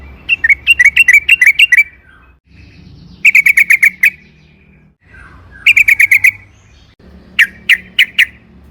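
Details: Sooty-headed bulbul singing its long rolling 'ropel panjang' song for luring bulbuls into singing; four clusters of quick, bright repeated chirps separated by silences of about a second.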